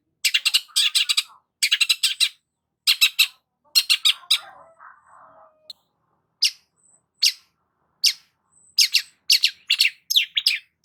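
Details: Long-tailed shrike (Lanius schach) song: harsh, rasping chatter in quick bursts of three to six notes, then single scratchy notes, with a soft low warble in between.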